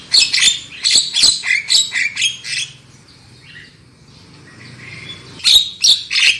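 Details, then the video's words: Black-winged myna lure song for encouraging loud singing: rapid harsh squawking notes, about three per second, fading into a quiet stretch of soft warbled fragments before loud raspy calls return at the end. "SUARA PANCINGAN JALAK KEBO AGAR CEPAT NGOCEH KERAS"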